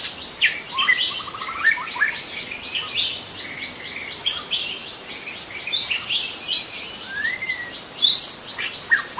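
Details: Wild forest white-rumped shama, sound used to lure other shamas: varied whistled phrases, rising and falling slurs and short trills, over a steady high insect drone throughout.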